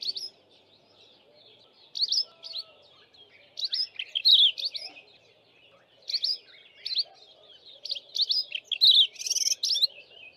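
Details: Streaky-headed seedeater, a member of the canary family, sings a canary-like song: bursts of sweet, high twittering phrases with quick slurred notes, each about a second long with short pauses between.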